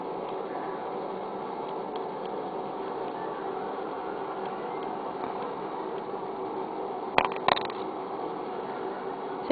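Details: Steady low indoor hum with a pair of sharp clicks near the end and no animal voice.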